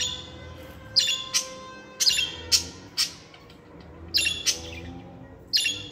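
Budgerigar giving sharp, scratchy chirps and squawks in short bursts, about eight notes over six seconds, over a faint low hum.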